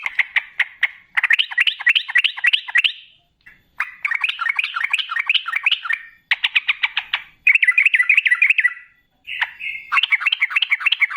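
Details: Sooty-headed bulbul (trucukan) singing in the gacor ropel ngalas style, a long rapid song used as a lure to make other bulbuls answer; four bursts of fast, bubbly chattering notes separated by short pauses.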